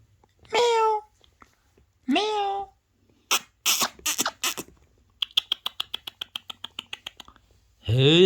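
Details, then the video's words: Indoors, a pet parrot near a phone playing parrot videos gives drawn-out rising harmonic calls like a mewing cat, then loud harsh bursts, a fast train of clicks, and a final rising call. "Best Trending Parrot Talking"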